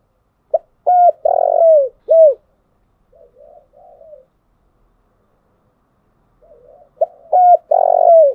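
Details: Decoy spotted dove song, used to fire up lure birds in training: a full cooing phrase with a rough buzzy middle note, a few seconds of soft murmured coos, then the next phrase starting again.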